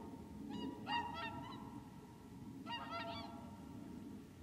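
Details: Whooper swans calling on Lac du Der, Champagne, France, on 30 January 2014: two clusters of quick, brassy, trumpet-like honks from more than one bird, separated by a pause, with a continuous low background hum.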